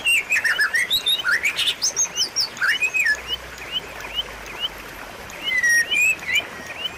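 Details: White-rumped shama tutor song for reviving a silent bird's singing; a fast stream of rising and falling whistles and chirps at the start, quieter scattered upslurs, then a strong slurred whistle near the end.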